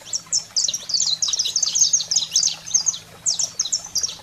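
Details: Canário-da-terra (saffron finch) in stimulating song for captive birds: a fast string of piercing chirps and trills for three seconds, a short pause, then a few more sharp phrases, faint hum underneath.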